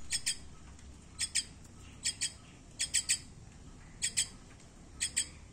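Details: Common myna (Acridotheres tristis), call.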